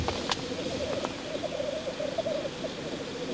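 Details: Rolling, dove-like bubbling of black grouse at their courtship lek, a continuous low warbling murmur with soft clicks early on.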